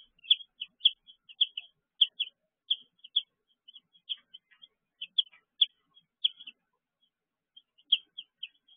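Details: Baby chicks kept in a brooder call in the evening with bright, piercing peeps, often in pairs, spaced by short pauses, with a brief lull near the end.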